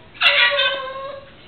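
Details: Pet blue-and-gold macaw, urged to say "put 'em up", gives one hoarse, nasal word-like utterance lasting about a second, starting strong and then trailing off slightly lower, in a quiet indoor room.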